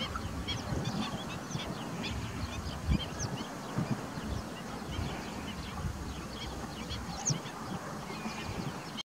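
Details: Ruddy shelduck, Tadorna ferruginea, giving repeated short nasal honks scattered through the recording, over a constant low rumbling background.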